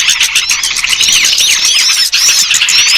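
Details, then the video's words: Dense twittering flock of small birds, played as a lure for birds that will not come down easily; sharp chirps and swooping whistles overlap continuously, with regular ticking clicks and a short dip just after two seconds. "Suara Pikat burung kecil yang susah turun"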